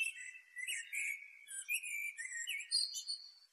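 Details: Sikatan hitam, the black flycatcher, singing energetically, a recording meant as a master for teaching caged birds: a continuous, run-on warble of bright whistles, quick trills and high squeaky notes with almost no pauses, ending on a sustained thin whistle.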